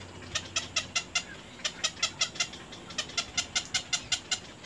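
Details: Baby little egrets at the nest biting at their mother: about twenty sharp, clicking notes in a quick, even series with a brief pause, high-pitched and dry, over quiet background.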